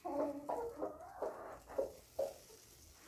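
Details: Flock of Brahma bantam chickens: a series of low, soft clucks and short murmuring notes, about five in three seconds, with a faint background hiss.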